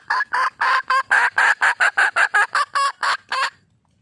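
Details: Red junglefowl calling for a mate, giving a rapid series of about fourteen loud, harsh clucking notes over three and a half seconds, spaced a quarter second apart, then falling silent.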